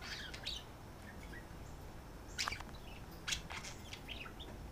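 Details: A pair of pet budgies, one female and one male, calling back and forth when settled for the night while courting. A few brief high chirps and short squeaks over a faint background hiss.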